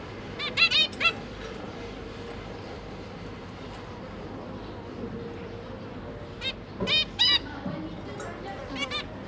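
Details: Zebra finch pair with three juvenile chicks: a quick cluster of nasal beeps at the start, a long quiet stretch, then another short burst of harmonic calls.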